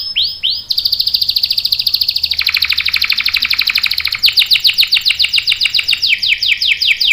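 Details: Long canary roll used to prompt and tutor young males: a couple of swoops, then a sustained rapid buzzy trill for over three seconds, ending in a brisk run of sharp repeated chirps.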